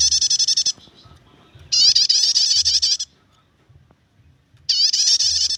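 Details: Prinia giving its nyetater chattering song, used for luring or tutoring songbirds: three bursts of fast, high, metallic repeated notes, each under a second or more, separated by short quiet gaps with faint low hum.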